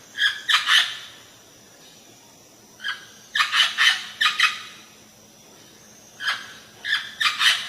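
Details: Indian parrot giving loud harsh screeching calls in short bursts of two to four notes, separated by brief pauses, in a quiet room.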